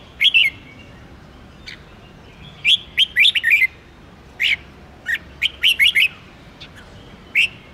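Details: Red-whiskered bulbul song used to stimulate contest birds: short sharp chirped notes in loose clusters, several quick notes in a row, with silent gaps between.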